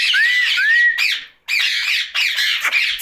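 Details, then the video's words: Pet ringneck parakeet at night: two smooth rising whistles around the same pitch, then bursts of harsh, grating squawks separated by short pauses. "Night Talking parrot Mitthu Ringneck"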